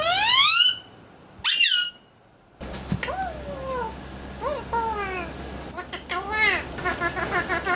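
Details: Pet Alexandrine parakeet talking and making sound effects indoors: two loud harsh squawks, a pause, then a string of rising and falling whistled, speech-like phrases over room hum.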